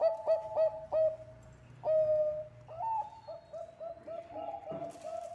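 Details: Zebra dove, Bangkok strain, singing steadily as a lure: quick staccato coos, then longer ringing notes and more clipped phrases, with a second overlapping cooing voice faintly in the later part.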